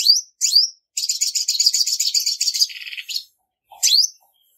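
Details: Two swooping high chirps, then a dense, rattling trill of nearly two seconds that drops lower at its end, then one more chirp. A female olive-backed sunbird calling to excite males, recorded cleanly.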